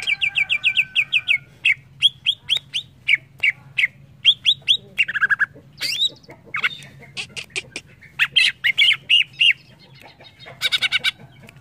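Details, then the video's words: Long varied greater green leafbird song, meant for training young birds: repeated rapid chirp series, downslurred whistles, sharp clicks and bright trills alternating over about eleven seconds. "Suara burung CUCAK IJO"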